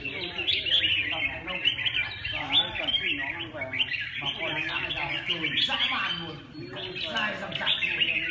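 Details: Red-whiskered bulbul singing in bursts of bright, chattering chirps and short warbled phrases, overlapping and nearly continuous with brief pauses; low voices murmur faintly underneath.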